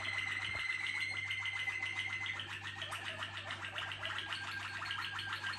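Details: Song of a Malinois Waterslager canary kept in a contest team: dense, continuous bubbling trills layered in rapid pulses, shifting slightly in pitch, with a low mains hum behind.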